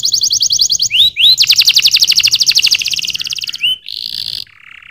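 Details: Canary pouring out rapid rattling trills broken by quick upward slurred whistles, ending with a steady buzzing note and a lower soft phrase.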